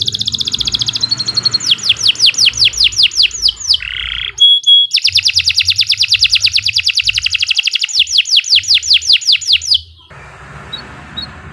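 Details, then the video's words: Lively canary masteran song: long runs of rapid falling notes, a brief buzzy phrase and steady whistle, more fast sweeping trills, ending in quiet background hiss. "Kicau Burung Kenari 107 II GACOR PANJANG Cocok untuk Masteran"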